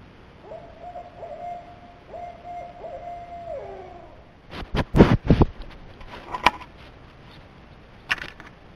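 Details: Barred owl (Strix varia) at night in western Michigan in June, caught on a trail camera: a run of steady mid-pitched hoots ending in a drawn-out, falling note, followed by several loud thumps and rustles.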